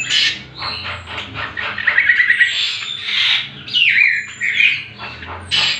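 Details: Greater green leafbird (cucak kombo) master song for teaching other birds: a jumble of buzzy chirps, a short fast trill, then twisting whistled slurs and sharp bursts that come in quick succession.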